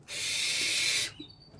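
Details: One of two young, hand-reared owls, heard before being hand-fed cut-up day-old chicks, gives one long, breathy, rasping hiss lasting about a second, then falls quiet; a faint thin high tone lingers afterwards.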